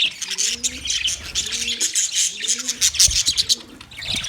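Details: Budgies chirping on 9 March 2024, with steady high, sharp twitters over four low, two-part coos spaced about a second apart.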